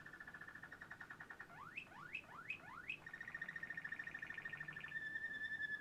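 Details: Waterslager canary from Quetta singing: fast rolling trill near mid pitch, broken by four rising slurred sweeps, then a steady bubbling roll continuing to the end.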